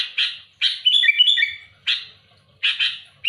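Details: Loud, challenging song of a sooty-headed bulbul against rivals: rough broadband bursts around a bubbly sequence of clear whistled notes that step up and down.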